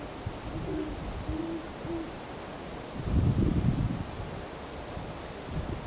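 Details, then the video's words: Owls on a cold December evening at about 7:15 pm, taken with a handheld camcorder and shotgun mic: three faint low hoots in the first two seconds, then a burst of rumbling wind noise. "Owls calling on a cold night"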